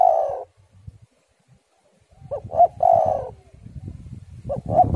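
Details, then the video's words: Spotted dove phrases used to prompt doves into singing: a trailing purred coo, a pause, then a fresh phrase of two short notes and a long hollow coo, another beginning at the end, over low wind rumble. "tekukur super gacor suara angin ribut"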